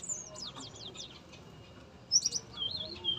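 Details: Male yellow-rumped flycatcher, tame and singing energetically in a breeding cage, gives high thin whistled notes in quick descending slurs, then a brief bright burst and a wavering whistled trill near the end; faint background hum.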